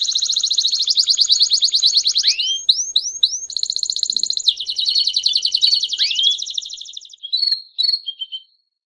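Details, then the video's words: Male domestic canary singing in campainha (bell) style alongside a female's calls: dense pulsed rolls broken by a few upward-swept notes, then scattered short chirps as the phrase fades out. "Canário Do Reino Cantando Campainha e Fêmea Piando!!!"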